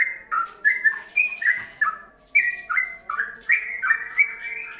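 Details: For songbird tutoring, a yellow-vented bulbul sings in ropelan style, giving lively whistled phrases with swooping notes in bursts separated by short pauses, over a low background hum.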